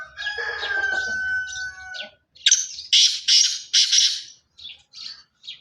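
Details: Black francolin of the pure Sindhi Chirki breed calling: a steady whistled tone at first, then a harsh, grating series of loud squawky notes repeated rapidly, ending in shorter, softer notes.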